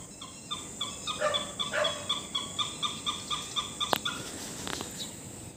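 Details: In Assam, a great hornbill gives a steady run of short, nasal notes at about four per second. Sharp clicks or knocks break in near the end, and a constant hiss runs underneath.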